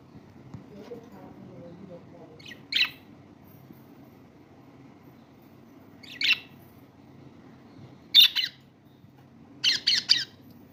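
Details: Lovebirds give four harsh, high squawking calls spaced a few seconds apart, the last two doubled, over a quiet background with a faint low hum.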